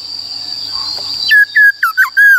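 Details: ['Black-throated laughingthrush singing its forest-style song for coaching young and wild-caught birds: after quiet hum, a burst of loud clear whistles, some flat and some dipping sharply downward.']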